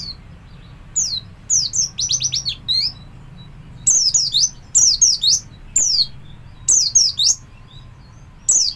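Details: Javan white-eye played as a lure to get other white-eyes to learn and join in its song, giving high, thin, rapid twittering phrases: bursts of sweet descending notes repeated about every second against a quiet background.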